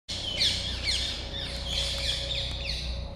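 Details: Young European green woodpecker from 2020 giving a steady run of high, downslurred call notes, several per second, over a low background hum.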